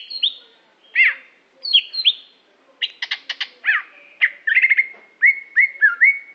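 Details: Aceh greater green leafbird, a prize-performing singer, producing clear upslurred and downslurred whistles at first, then quicker stuttering chirps and a run of repeated level whistled notes near the end, crisp with little background.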